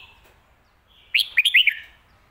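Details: A single phrase of the 'Phat Kuai Tiao' master song from a red-whiskered bulbul: four or five bright, bubbly whistled notes delivered in under a second after a soft lead-in note.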